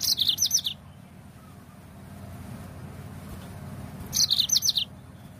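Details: Song of a yellow-fronted canary, played to get other birds singing at once: a quick run of sharp, high chirped notes at the start and another matching burst after about four seconds, over soft low rumble.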